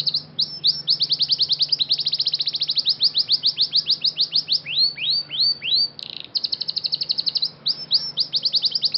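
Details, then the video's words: Scotch Fancy canary, a training champion, singing a fast bright song of rapid repeated chips. They run in long rolling trills, then slow into sweeping notes, with a brief break near the end before the quick trills resume. A steady low hum underlies it. "canary scotch fancy singing most beautiful song bird - canary training champion"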